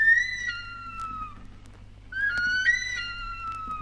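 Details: Bush Stone-curlew in Australia, from a 1968 record of Australian bird and animal calls, giving two long, mournful whistled wails, each sliding slowly downward, over a faint low hum.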